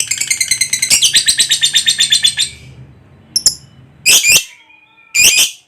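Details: Lovebird giving a long ngekek trill: a fast, buzzy chatter of evenly repeated high notes for about two and a half seconds, then a pause and a few short, harsh squawks.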